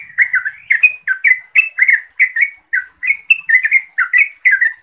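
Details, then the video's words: A yellow-vented bulbul calls to a rival or companion with rapid, loud, gurgling chirps, some slurred upward, repeated in an energetic, unbroken chatter. "Suara Turcuk Memanggil Lawan/Teman"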